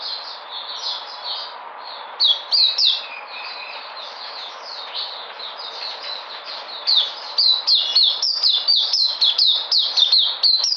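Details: Singing white-eye recorded 13 February 2020. A soft, rambling high twitter gives way to a burst of loud, rapid, falling chirps that build into a dense, energetic run.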